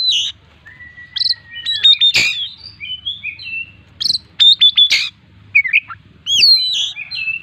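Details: Oriental magpie-robin (kacer) singing hard in full-isian style: a long level whistle, loud sharp clicks, quick rising and falling whistled phrases, and looping upslurs.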